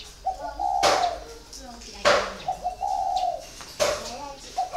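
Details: Caged spotted dove of four years' captivity coos in low hollow phrases, several repeated coos interrupted by sharp loud clicks or knocks nearby.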